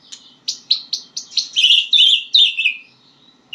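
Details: Learning white-rumped shama giving a quick run of sharp, evenly spaced chips that speed into a rich, warbled rattle, then fall silent briefly.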